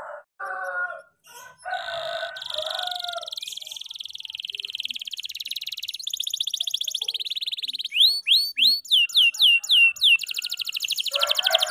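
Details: Canary of the F2YS line giving long song meant for training other birds: opening warbled phrases, then a sustained fast buzzy trill, followed by sharp descending whistled notes and another dry rattle.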